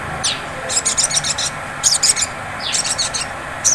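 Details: Sunbird ngleper lure song aimed at provoking ngriwik singing: a thin downslurred chirp, then dense, very high buzzy rattles in quick clusters, another falling chirp and a final sharp note, over light hiss.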